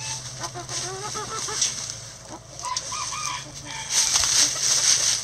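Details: Chickens in a backyard coop scratching through a leaf pile; several short wavering clucks and purring notes in bursts, mixed with loud crackling leaf scratching and a low steady hum.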